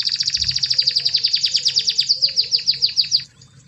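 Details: Energetic domestic canary song meant to provoke silent canaries: a fast run of about twenty descending whistled sweeps, repeated roughly three times a second, ending abruptly, over faint low background hum.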